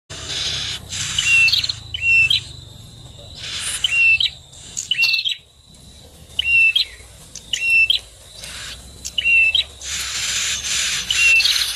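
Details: Bar-winged prinia at its nest, the calls locally known as prenjak tamu: short sharp chirping phrases with quick slurred notes, repeated in bursts about every second or two, broken by loud rushing noise bursts between them.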